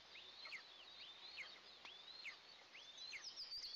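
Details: Two Eastern imperial eaglets on a nest camera during first feeding, 29 June 2024, repeat thin, high, downward-curving squeals about every half second, with faint clicks.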